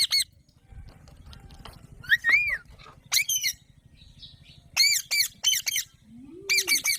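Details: Alexandrine parakeet (Psittacula eupatria) giving loud, harsh, rasping squawks in short bursts, some with a rising-falling bend, over a low steady hum.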